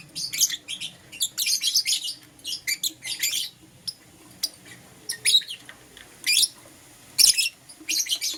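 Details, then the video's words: Lovebirds of green opaline and lutino colours calling in the morning, giving rapid runs of scratchy high chirps in frequent bursts, some tight and stuttering, one sharp click near the end. "Lovebird Chirping Sounds"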